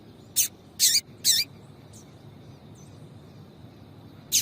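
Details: Female double-collared seedeater calling to warm up a male: a quick run of three harsh high chips, then a pause of almost three seconds before a fourth.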